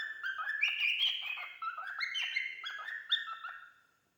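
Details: A tame pet male cockatiel warbles a running string of bright whistled notes and chirps that rise and dip, steady for about four seconds before fading out.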